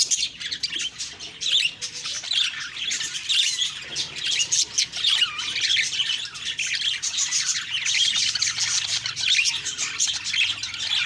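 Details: A group of budgerigars calling in the morning: a busy, unbroken mix of shrill chirps, trills and scratchy warbles from several birds, pulsing in intensity throughout.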